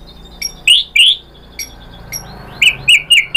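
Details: Lure recording of a white-rumped shama meant to draw other birds into song: a few high, scratchy, buzzy notes spaced apart, then four quick strident notes in a row.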